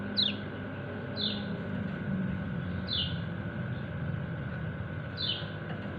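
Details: White-eye (kecial kuning) calling its companions: four short, sharply descending high chirps spaced about a second apart, over a steady background hum and low rumble.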